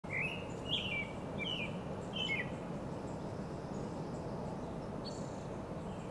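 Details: American robins singing in tall Monterey pines in Del Monte Forest, California, on a spring evening: a few short, slurred whistled phrases in the first two and a half seconds, then quieter, over a steady low rumble.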